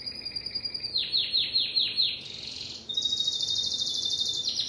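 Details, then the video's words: Timbrado canary song: a series of five or six rapid, downward-sweeping chirps, then a long, bright rolling trill at high pitch. "اسطوانة تغريد كناري التمبرادو"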